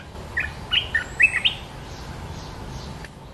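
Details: Sooty-headed bulbul, the territory owner displaying nonstop as it answers a rival's call; a short phrase of about six quick, bubbly whistled notes rising and falling, then quiet.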